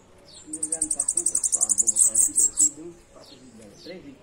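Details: Bananaquit song: a rapid, very high, buzzy trill of evenly repeated notes lasting about two seconds, with low murmuring, speech-like sounds underneath.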